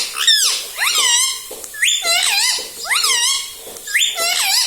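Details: Pet rose-ringed parakeet indoors repeating "mummy": strong harmonic phrases with rising then falling inflections, about five utterances in quick succession, each roughly half a second, quiet room behind.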